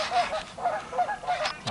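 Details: Several wild turkey gobblers, perhaps six, gobble over one another in the distance on a spring hunting and scouting trip. Their rapid rattling bursts overlap and repeat every half second or so.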